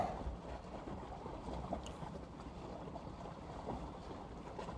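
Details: Wind buffeting the microphone over lapping water and boat noise on a Memorial Day weekend in Rockport, Texas, with no animal calls.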